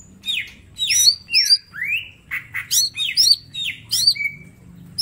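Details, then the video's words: Green leafbird, mini type, in lively master song for training: tight bursts of falling whistles and sharp high notes, a rising slurred whistle, and a low background hum. "Cucak ijo mini gacor full tembakan bongkar materi"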